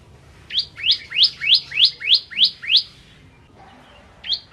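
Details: Ciblek kristal (bar-winged prinia) in vigorous song for training shamas: a slower sequence of seven swelling notes, each rising then held, about three per second, followed by a pause and one further note.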